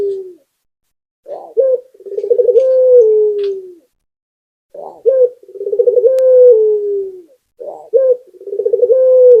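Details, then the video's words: Barbary dove, a local puter, in vigorous gacor song used as a pancingan lure. Three low phrases, each a brief coo followed by a throaty rolling trill that draws out into a long, gently falling coo, separated by short silences. "Puter Lokal #1 - Suara Burung Puter Gacor || PANCINGAN ANTI MACET"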